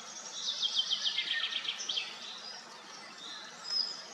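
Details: Bathing common starlings at Madocsa's Kápolnai kobolya, filmed on a Nikon P1000, give a burst of rapid rattling clicks and squeaks in the first two seconds, then quieter scattered whistles over constant noise.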